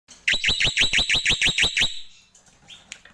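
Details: Black-winged myna giving a loud burst of about nine rapid, evenly spaced harsh chirping notes, roughly six per second, falling in pitch within each note, then a trailing softer note and quiet clicks.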